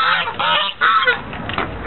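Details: White geese at Lake Elizabeth in Fremont, California, recorded on 24 November 2013; a brief burst of harsh, nasal honks from several birds overlapping, with a short lull in the middle before more calls.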